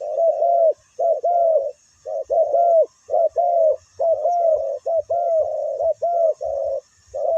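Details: Spotted dove used as a ground decoy to draw in wild birds, which come down very quickly: loud, clear, mellow coos in short phrases of two or three notes, repeated with brief gaps throughout.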